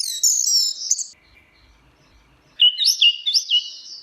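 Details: Orange-headed thrush in teler-style song: a high, sustained, scratchy warbled phrase, a long silent gap, then a sequence of bright, rapidly alternating slurred whistles jumping up and down in pitch.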